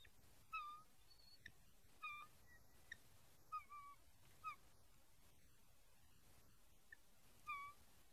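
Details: Bald eagle family at a Port Tobacco, Maryland nest on 15 April 2022, during a late breakfast delivery, with a young chick unhappy. Thin, high chirps and whistled squeals repeat roughly every second over quiet hiss.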